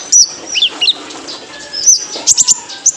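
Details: Training song of a male kolibri ninja (purple-throated sunbird) for cage birds: a few sharp, high downslurred whistles, then a quick cluster of piercing chirps near the end, over steady faint hiss.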